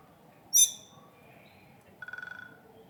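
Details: Siberian stonechat calling: one loud, harsh, high note, then a quick rattling series of about eight lower pulses, against a quiet background.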